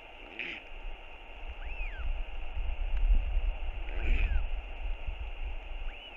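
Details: Hungry northern royal albatross chick begging its father for food before being fed two meals: two short harsh, layered squealing bursts about four seconds apart, with faint arched whistles between them over steady low wind rumble.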